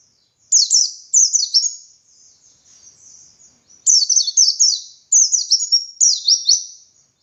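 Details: Dakun white-eye in busy ngalas song, recorded to teach other white-eyes: three phrases of rapid, thin, descending chips. The first is followed by faint softer twitters, and the last two phrases come close together.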